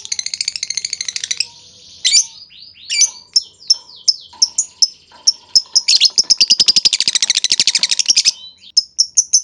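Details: Lovebird 'ngetik' lure meant to set other lovebirds chattering: a dense, harsh chatter gives way to scattered squeaky notes, then a fast, machine-gun rattle of ticks before a few closing chips.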